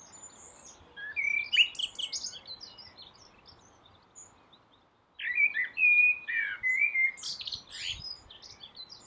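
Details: Common blackbird singing at dawn from a rooftop: a warbled phrase with scratchy high twitters, a few seconds of near silence, then a longer sequence of clear slurred whistles mixed with squeaky notes.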